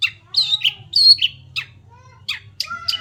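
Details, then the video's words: White-rumped shama starting to sing in full voice: a few loud, varied notes sweeping between low and high pitch, with harsh, squawky phrases and short pauses between bursts. "mulai gacor"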